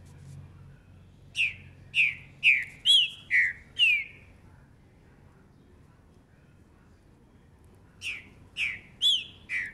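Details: Green-winged saltator, a young bird of 2019 praised for its fast song: two bursts of short, loud whistled notes that slide downward, about five in quick succession, then a pause and four more.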